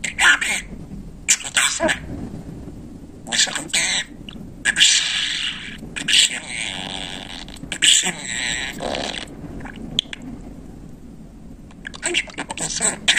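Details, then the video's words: Pet budgerigar chattering fluently as if talking, its mimicked words coming as rapid raspy, buzzy bursts of high notes separated by short pauses, with a low indoor hum beneath. "Bülbül gibi konuşan muhabbet kuşu"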